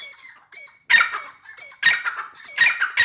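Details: Dakhni teetar, the grey francolin, in full spirits, giving three strident, raspy bursts a little under a second apart, with quieter squeaky notes between them and no other clear sounds.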